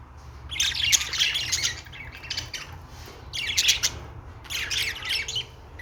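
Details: Budgerigar, called an Australian parrot, singing: bursts of buzzy, scratchy chatter high in pitch, in three clusters with short pauses, over a low steady hum.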